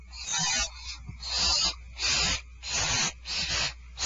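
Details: At Starr Ranch on 2/1/12, feeding-time barn owls give a run of coarse, breathy hisses, some drawn out and some short, repeated at an uneven pace with small silences between.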